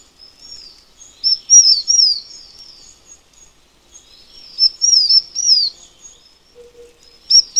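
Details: Taiwan fulvetta giving two bursts of quick, high slurred notes, each dropping in pitch and run together into a chattering string, with quieter thin trailing notes between bursts.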